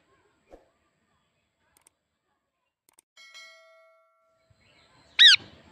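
A single harsh, loud parrot screech near the end, preceded by a soft metallic ringing ding and a faint click.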